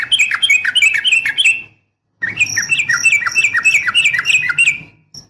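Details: Female yellow-vented bulbul calling to a male, recorded as a lure. Loud, fast chattering runs of bubbly notes are separated by a short pause. Low background rumble throughout.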